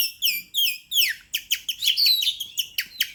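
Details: An oriental magpie-robin sings in full voice for a lure track, opening with two downward whistles, then a quick volley of sharp, descending chip notes.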